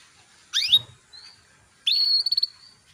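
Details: Female canary call aimed at getting males singing: a quick downward-sweeping chirp, a faint thin note, then a longer level whistled note ending in a brief trill.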